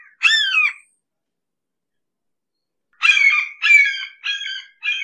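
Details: Red-shouldered hawk near the recorder: one hoarse, bent scream, a pause of two seconds, then four quicker harsh notes that grow shorter and flatter toward the end.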